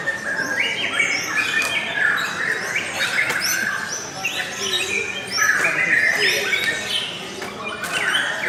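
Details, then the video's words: Lovebird chatter, fast and irregular: busy, overlapping high chirps and short squeals run the whole time, with brief clicks mixed in. "LOVE BIRDS suara yang indah dan Panjang"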